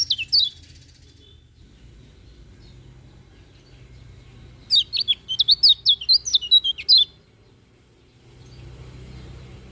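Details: A lemon-bellied white-eye gives a brief high note, then after a pause sings a two-second flurry of quick, sharp whistled notes in the morning, with low rumbling noise throughout.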